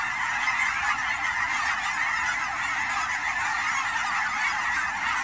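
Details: Autumn-migrating Canada geese at the Fern Hill Wildlife Area, Forest Grove, Oregon, fill the air with a continuous massed honking chorus, many birds calling together at steady volume.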